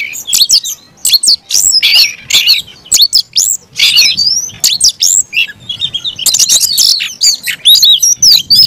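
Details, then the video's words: Oriental magpie-robin (kacer) giving aggressive song: bursts of harsh chatter alternating with clear looping whistles, separated by short pauses. "kacer gacor tarung ngotot agresivitas"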